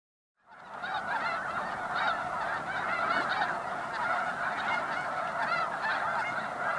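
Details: Snow geese resting for the evening at Bosque del Apache National Wildlife Refuge south of Socorro, New Mexico; a dense flock chorus of overlapping nasal honks and yelps, continuous and steady, with no other sounds standing out.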